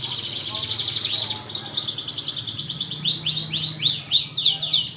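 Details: Lure song of an actively singing canary, used to prompt other canaries into song: rapid buzzy high trills that run on continuously, then a series of looping, downward-slurred whistles repeated about four times a second.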